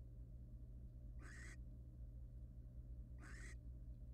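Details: Wild barn owl in a monitored nest box: two rasping, noisy screeches, each about a third of a second long and roughly two seconds apart, over a constant low electrical hum.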